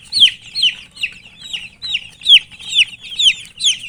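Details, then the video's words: Domestic chicken chicks feeding and calling; clear high peeps that drop in pitch, repeated steadily about twice per second, with faint low background rustle. "Murgi chicks Chirping sounds and eating"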